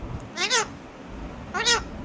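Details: Talking Alexandrine parakeet giving two short, nasal, wavering utterances about a second apart, each sliding down then up, over a low background hum.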